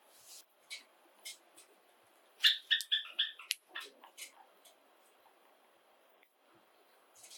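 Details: Pet Java sparrows from a household of seven, with white, sakura and pastel silver birds living indoors, give scattered high sharp chirps. A quick cluster of rapid notes comes near the middle, then a few more chirps, all in a quiet room.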